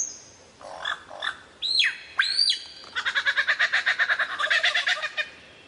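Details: Lyrebird song with varied imitations: a thin high whistle, two soft rough notes, sharp downward-swooping whistles, then a fast, even chattering rattle that runs for over two seconds.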